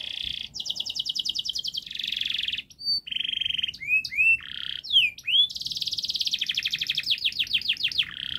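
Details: Long, dense canary song played to teach young canaries to sing: rapid trilled rolls, a steady buzzy note, looping upswept whistles, then another fast rattling trill, loud and continuous with no other sounds.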